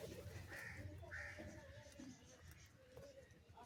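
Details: Crow being fed and calling for cheese, giving two hoarse, drawn-out caws in quick succession against a low, muffled background.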